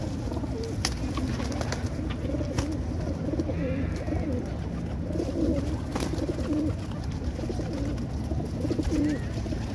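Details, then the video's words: Racing pigeons in South Africa cooing: soft, low, throaty coos rise and fall at intervals through steady background hiss, with faint higher chirps from other birds. "Racing Pigeons & Cooing"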